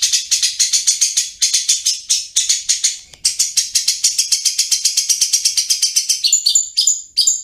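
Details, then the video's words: Long-tailed shrike singing in ngriwik style: sustained rapid, buzzy, high-pitched rattle of repeated scratchy pulses, with a brief pause midway, then ending in separate sharp squeaky notes. "Cendet Full Gacor Ngriwik"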